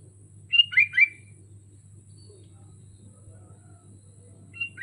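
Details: Sooty-headed bulbul in a cage on a hanging pole sings a quick bubbly three-note phrase, then falls quiet before another phrase begins at the end; faint low hum throughout.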